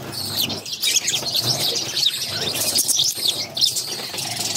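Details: Hungry budgerigar chicks, a brood of six, calling while fed by their mother at feeding time; loud, rough high squeals and twittering chirps in quick repeated bursts.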